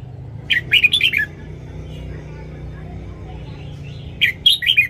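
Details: Red-whiskered bulbul morning song used to train young caged birds: a quick phrase of four or five warbled, slurred notes, then a pause and a second matching phrase, over a low steady hum.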